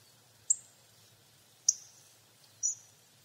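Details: Hawfinch giving three abrupt, high-pitched ticks, the last slightly longer and more drawn out, roughly a second apart against a faint low hum.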